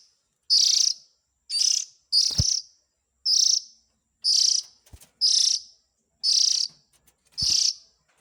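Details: Oriental magpie-robin chick calls used as a lure for adult birds: around nine harsh, grating rasps come roughly once a second, with occasional sharp clicks between them.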